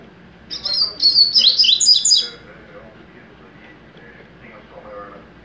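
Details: Young double-collared seedeater kept as a cage bird, singing mateiro song: a busy, fast phrase of high, jumbled whistled notes for about two seconds, followed by faint speech in the background.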